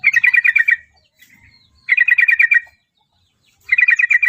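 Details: Javan yellow-vented bulbul, described as a future champion, gives three loud bubbly phrases of quick repeated notes, each under a second, spaced roughly two seconds apart, with faint soft notes in the gaps.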